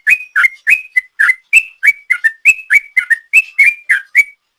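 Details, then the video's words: Yellow-vented bulbul giving sought-after long 'ropel' song as a lure: quick succession of bright slurred whistles, some doubled, around four per second, with no other sounds. "Trucuk Gacor ropel panjang,suara ropel trucuk ini paling di cari ropel mania"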